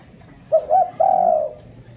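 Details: Spotted dove lure call used to attract wild doves: three low cooing notes, two short hoarse coos followed by a longer drawn-out coo, over a faint background.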